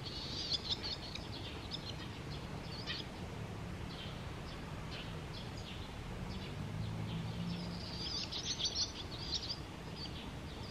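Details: At the Tama River a barn swallow utters thin, high chirps in scattered runs, denser near the end, while a low rumble like passing traffic runs beneath.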